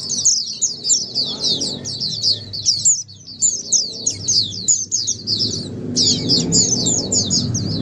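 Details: Caged Oriental white-eye (pleci) in Indonesia, the ombyokan style, a clear song used as therapy to prompt silent white-eyes to answer and sing; rapid high chirping twitters in dense bursts, with a low hum beneath and brief pauses.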